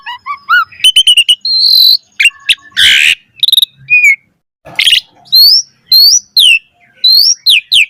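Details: Asian pied starling song for training other starlings: rising whistled notes, quick click bursts, two loud harsh rasps, then a string of upslurred whistles.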